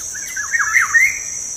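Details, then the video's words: Black-naped oriole song played as a lure to get kept birds singing: one liquid, fluty whistled phrase of slurred notes swooping down and up, over a steady high insect buzz. "PANCINGAN SUARA BURUNG KEPODANG"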